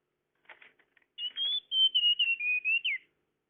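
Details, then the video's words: Tledekan lure call for attracting birds: soft buzzy chatter at first, then a long run of high, sweet whistled notes that drift gradually lower and end with a quick downward slur. "Suara pikat burung tledekan"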